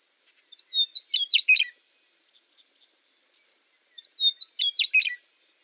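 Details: A Western Meadowlark, an open-field bird whose song is bubblier than the Eastern's, gives two bubbly, flute-like songs about four seconds apart, each opening with clear whistles and tumbling into a rich, gurgling phrase.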